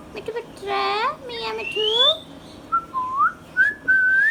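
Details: Hand-tame Indian ringneck parakeet kept as a talking pet: harsh, buzzy speech-like syllables with wavering pitch, then a string of short upslurred whistles rising in steps and repeated about every half second.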